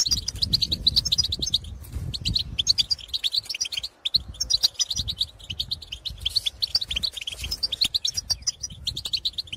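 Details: Goldfinch chatter from birds in the field calling to their kind: rapid tinkling twitter phrases repeated in bursts, high and jingling, over a steady low rumble of background noise.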